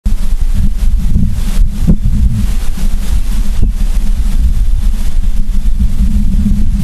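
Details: Heavy low wind rumble buffets the microphone throughout, with no animal calls.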